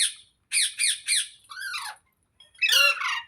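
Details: Green parrot, said to be talking, indoors in a small room: three quick harsh, buzzy squawks in a row, then a falling scratchy call, a short pause, and one loud rasping screech with many overtones.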